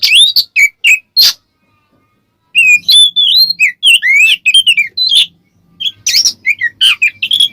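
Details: Oriental magpie-robin, ngeplong-style song used to provoke other magpie-robins: sharp notes and whistles, a silent gap, then a long flowing run of varied slurred whistles and chirps.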